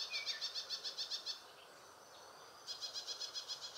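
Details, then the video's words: Ashy prinia giving rapid runs of high, sharp notes, about six per second, in two bursts separated by a brief pause, recorded at Valley School on 9 September 2019. "Ashy Prinia"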